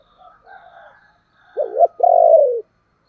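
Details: Spotted dove used as a decoy, cooing in thúc and calling style: quiet low murmurs, then a wavering low coo followed by a long, buzzy, pulsed coo that ends abruptly.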